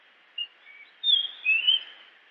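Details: A Japanese grosbeak gives two soft short notes followed by longer, louder slurred whistles, with light hiss in the background.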